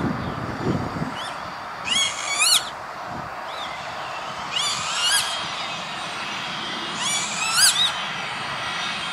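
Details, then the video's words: Northern lapwing at an industrial site near Veenendaal, the Netherlands, on 28 May 2013: wheezy, upslurred calls in short pairs, repeated several times, over continuous low traffic-like noise. "Kievit - Lapwing - Vanellus vanellus"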